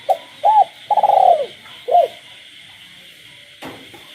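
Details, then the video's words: Spotted dove kept as a cage bird cooing at night, with frogs in the village background. A quick note and arched coo come before a long rolling pulsed coo and a final arched note. Quiet follows, then a sharp knock, all over a steady high hum. "cu gáy trong đêm"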